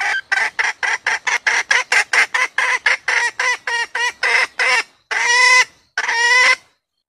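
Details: Female red junglefowl calling, used as a hunter's lure: a fast series of about eighteen loud, harsh clucks, followed by two longer, nasal, honking squawks with pauses between them.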